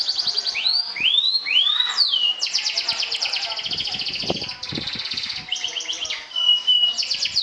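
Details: Champion 'sobek' canary trilling in contest style to provoke and outdo rivals: upslurred whistles open, then fast buzzy high trills and rolling phrases, ending with steady whistled notes and further trills.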